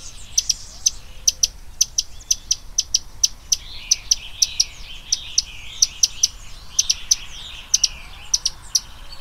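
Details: Common tody-flycatcher giving sharp, high clicking ticks, single or in quick pairs, repeated irregularly about twice a second over faint twittering from other birds in the background.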